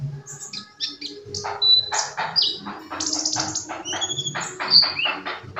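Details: Sunbird singing loudly: a long, dense run of rapid high chips, short whistles and buzzy notes, almost continuous throughout.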